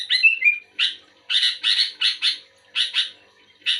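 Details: Active sooty-headed bulbul, known locally as kutilang, responding to another bulbul. A brief liquid whistled warble leads into a run of harsh, buzzy chirps given singly and in quick pairs.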